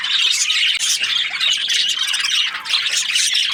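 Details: Australian budgies chirping: bright, shrill squawks and twittering warbles mixed in a constant high chatter, with one short drop in loudness early on.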